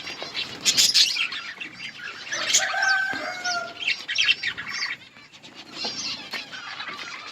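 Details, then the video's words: Budgerigar colony feeding, with a continuous chorus of high chirps and warbles from many birds, some whistled tones, and occasional wing flutters. "Budgies birds eating and enjoying in budgies colony budgies parrot chirping sounds"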